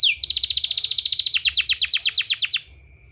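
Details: Canary therapy song for training canaries: a vigorous, rapid trill of about thirty bright repeated syllables over two and a half seconds, the notes lengthening and dipping lower midway, then stopping abruptly.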